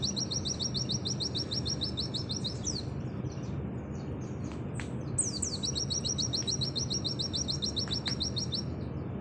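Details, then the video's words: Pleci (Oriental white-eye) of the auri type giving two long rapid high trills of evenly repeated notes in nembak sejalur style, each ending in sliding whistles, with brief clicks between and a constant low noise bed. "Masteran full materi burung pleci nembak sejalur Pleci auri"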